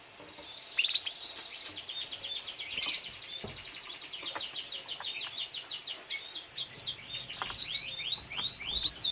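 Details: Domestic canary from a breeding room with chicks, delivering a long, fast trill of repeated high notes that runs for several seconds before breaking into slower sweeping chirps.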